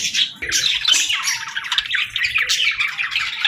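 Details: Pet budgerigars chirping indoors: a dense, continuous chatter of bright, scratchy high chirps and short squawks overlapping without pause, with a quieter low rumble underneath.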